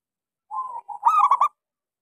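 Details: Local zebra dove, a frequent singer with a small voice, used to coax silent doves to sing. One brief phrase: soft lower coos rising into a loud quick burst of ringing staccato notes.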